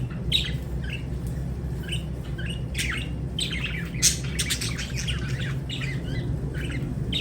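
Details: Lovebirds give quick high chirps and rasping squawks at irregular intervals, some in tight bursts, against a steady low background hum.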